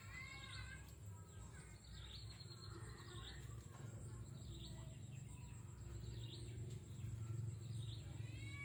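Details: Jujuk bird, also known by the local name Tatapaian, giving short upswept and arched chirps with rich harmonics, repeated irregularly about three times a second, with a constant low rumble behind.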